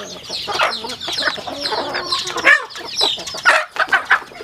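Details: Home chickens in a rural setting feeding; mid-pitched clucking and chirps lead early, then sharp, separated pecking knocks punctuate the last two seconds.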